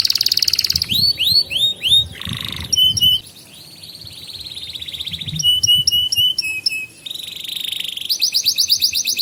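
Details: Canary master song used as a tutor for young canaries learning to sing and as a lure to prompt silent birds: a high, varied sequence of swooping rising notes, rapid chattering trills and a long buzzy roll, switching tours every second or two.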